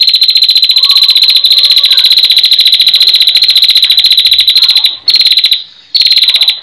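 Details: A female prinia gives a long, rapid, high-pitched ticking trill, run almost without pause, broken only by two brief gaps near the end.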